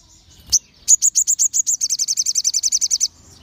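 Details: Group of crimson sunbirds singing, used as a lure to provoke other sunbirds into song: after a sharp high note, a fast, high-pitched trill of about twenty bright repeated notes runs for two seconds and quickens toward the end.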